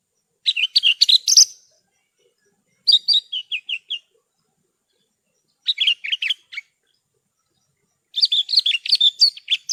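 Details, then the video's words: Horsfield's bush lark song used as a masteran tutor recording for caged songbirds: four separate bursts of quick, high, twittering notes with varied sweeps and trills, split by short silent gaps. "Masteran Burung Branjangan"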